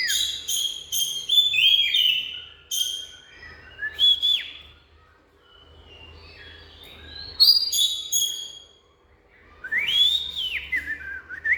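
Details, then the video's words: Song of an Oriental magpie-robin: varied, sweet whistles and sharp high notes in rapid phrases, with brief quiet gaps and a soft low hum in the background. "Bird Oriental Magpie-Robin| Birdsong"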